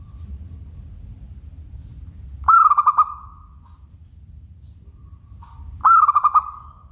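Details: Local zebra dove delivering its bright cooing song twice about three seconds apart, each phrase a rapid series of pulsed coos ending in a lingering note, over steady low background rumble.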